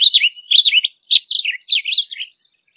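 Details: Blue grosbeak singing a quick, rambling warble of short slurred notes that rise and fall, run together for about two seconds before stopping.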